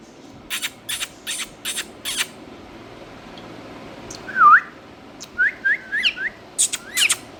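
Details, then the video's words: Indian ringneck parrot calls: a run of five dry, clicking bursts, a pause, then a loud looping whistle followed by a quick series of short, upward-flicking chirps. "Funny Parrot Sounds"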